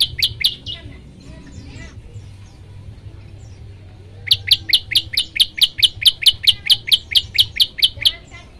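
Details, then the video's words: Olive-backed tailorbird song used to make other birds sing: three opening chirps, a quiet gap of about three seconds, then an unbroken, regular run of about eighteen loud, piercing, downslurred notes. "masteran prenjak lumut bikin semua burung ikut bunyi"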